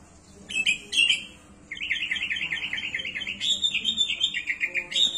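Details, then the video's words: Sooty-headed bulbul singing energetically with abundant varied fill-in phrases: two short bright chirp bursts, then a long rapid warbling run of wavering whistled notes that jumps higher near the end, over faint background hum. "KUTILANG GACOR ISIAN MELIMPAH"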